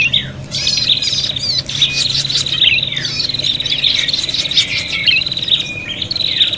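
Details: Prinia fighting and agitated calls used as a lure. Sharp chirps repeat roughly every half second to second, each followed by a short buzzy trill, forming a busy, scolding sequence.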